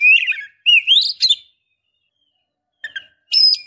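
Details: Calling female Oriental magpie-robin in breeding condition, luring a male. Clear whistled notes sliding up and down, a long silence, then a short scratchy note and a steady high whistle.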